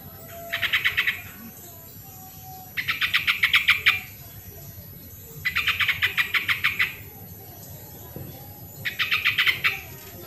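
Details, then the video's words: Sooty-headed bulbul in an original recording meant as a lure to get reluctant birds singing: four bursts of rapid, bright chattering notes, about seven per burst, spaced roughly every two to three seconds over a steady faint background hiss. "suara original burung trucuk pancingan trucukan yang malas bunyi"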